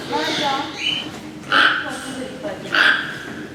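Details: One of two toco toucans in the tropical bird house of Maruyama Zoo, Sapporo, Hokkaido, Japan, 17 March 2013, gives two loud, rasping croaks about a second apart, after a brief stretch of human voices.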